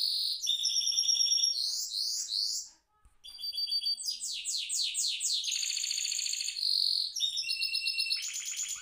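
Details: A goldfinch mule in a cage sings a fast, high, twittering rolling song of trills and sweet whistled phrases, broken by a brief pause near the middle.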